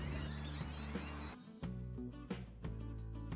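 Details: Instrumental music with a steady low bass line and layered tones, punctuated by brief percussive hits; no animal voices are heard.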